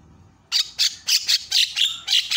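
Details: Javan myna giving loud calls meant to set other mynas calling: a steady series of harsh, rasping squawks about every quarter second after a short silence, each broad and noisy.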